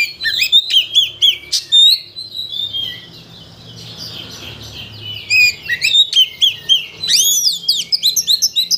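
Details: Lure song of an Oriental magpie-robin, called kacer, to provoke another bird into its full repertoire: varied high whistles and chips, a quieter lull midway, then a fast run of rising and falling notes.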